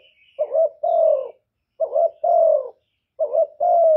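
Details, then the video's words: Three calling phrases from a spotted dove luring others to answer: each has a quick double-pulsed note leading into a longer, slightly falling hoarse coo, spaced about 1.4 seconds apart, with a faint thin whistle at the start. "CU ĐẤT GÁY GỌI CHIÊU GÙ"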